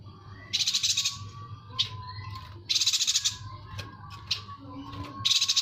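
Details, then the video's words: A yuhina gives bursts of fast, high, scratchy twittering, roughly every second or two, over a steady faint whistle-like tone and low background hum; used as a training recording for other songbirds. "MASTERAN AMPUH BURUNG YUHINA"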